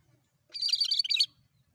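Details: Lively sooty-headed bulbul (cucak kerinci) song used as a bird lure: one fast, bubbling phrase of about three quarters of a second made of quick chirpy notes, with near silence around it.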